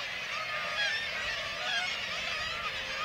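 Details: A Black-legged kittiwake breeding colony with chicks in Varanger, Norway, where white-tailed eagles hunt the chicks: many harsh, nasal, overlapping cries forming a steady, unbroken colony chorus.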